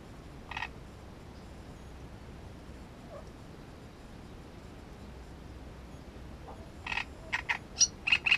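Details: Great reed warbler at its nest: one isolated rasping note, then a long quiet pause with faint background hiss, before a quick series of loud, grating and squeaky notes in the final seconds.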